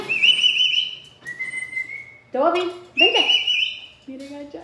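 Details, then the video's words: Pet Amazon parrot kept indoors mimicking laughing, with long flat whistled notes, then rapid harmonic laugh-like bursts and a short nasal tone at the end. "loro riendo"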